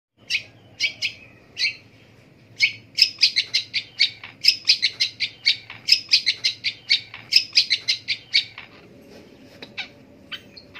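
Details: Long-tailed shrike (pentet) calling in the morning: sharp, harsh chattering notes repeated in rapid series, rising in intensity, with a low steady hum underneath.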